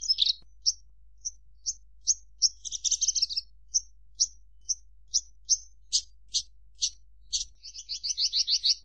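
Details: Javan bush lark in a long sequence of evenly spaced high chips, broken by a buzzy warble midway and ending in a fast rattling trill.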